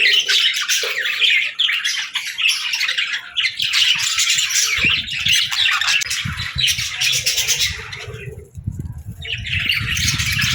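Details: A cheerful, friendly pet budgerigar chattering happily: harsh, rapid warbling and squawky chirps throughout, with low thumping and rustling noises in the second half.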